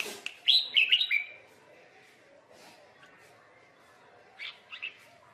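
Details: Red-whiskered bulbul in Vietnam, a trapping scene with fighting birds: a burst of bright warbled whistled notes around the half-second mark, then quiet, then two short chirps near the end.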